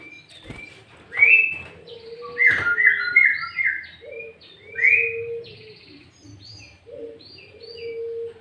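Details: Sooty-headed bulbul song with green leafbird fill notes, meant to lure bulbuls and challenge rivals: a sharp click, then a run of short bubbly whistled notes, followed by a steady low hooting tone repeated three times with softer high chirps.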